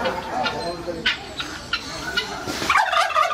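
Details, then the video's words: Captive turkey at a mini zoo in Hebbal Industrial Area, Mysore, giving a rough warbling gobble late in the clip over a noisy background with scattered clicks and murmured voices. "Turkey Call"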